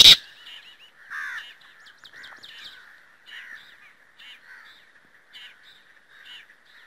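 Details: Black francolin (Francolinus francolinus), call.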